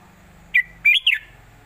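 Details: Southern Thai master song of a red-whiskered bulbul, the old southern style for teaching birds, with one clipped high note followed by a pair of quick warbled, down-slurring whistles, short and clear against a quiet, humming background.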